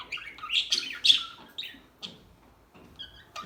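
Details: Calm small birds give a brief burst of high, slightly buzzy twittering that fades into scattered soft chirps and a few thin whistled notes.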